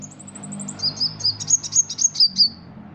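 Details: Ruby-cheeked sunbird, a caged Indonesian competition bird whose song borrows cricket, kapas tembak and cililin phrases. A quick string of very high ticks leads into a series of clear descending whistled notes, each about a quarter second apart.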